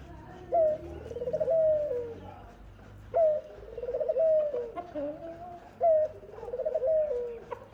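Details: Dove, known locally as khumra, calling while a mother feeds her young: three repeated low phrases, each a short note followed by a longer wavering, descending coo, roughly every two and a half seconds, with faint room background.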